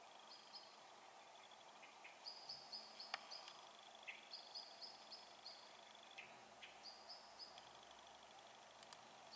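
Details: Young common kestrel perched on a windowsill giving quick runs of high, sharp notes in short bursts, plus longer steady whistles, with faint chirps of other birds behind.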